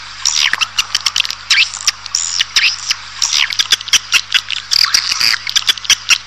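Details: Swiftlet lure sound for bringing a colony into a building: scratchy high twitters and swooping squeaks mixed with rapid clicking, steady chatter throughout, over a faint low hum.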